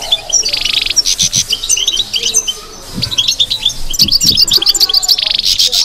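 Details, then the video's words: European goldfinch in batbata song, fast twittering notes broken by two dry, buzzy rattles, then a rapid string of evenly spaced high chirps near the end. "بتبتة لو مغناش معها"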